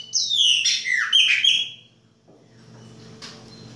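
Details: Chopi blackbird singing in the baianinho style in winter: loud, clear whistled phrases sliding down and up with rich harmonics for nearly two seconds, then a faint background hum.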